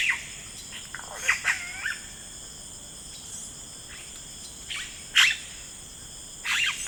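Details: Rainforest yellow-rumped cacique giving a varied mix of whistled slurs, clucks and sharp bright notes in short bursts, with continuous high-pitched insect buzzing throughout.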